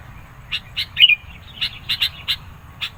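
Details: Sooty-headed bulbul singing insistently to challenge rivals and lure birds: a string of sharp high clicks with a short rippling twitter, spaced irregularly across three seconds.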